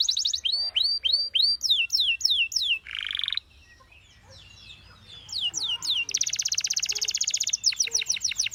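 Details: Canary singing repeated downslurred whistles, then one harsh buzzy note and a short near-silent pause, before resuming with a dense buzzing trill and quick slurred notes.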